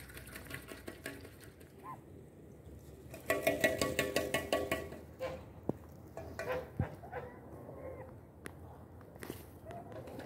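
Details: Mating ducks give a run of rapid, nasal quacks lasting a few seconds, then scattered softer calls against steady background noise and faint voices.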